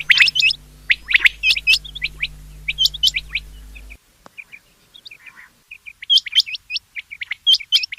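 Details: Rain quail call of rapid, high, piercing notes in tight clusters over a steady low hum. After a sudden cut, softer short notes continue, then louder clusters return.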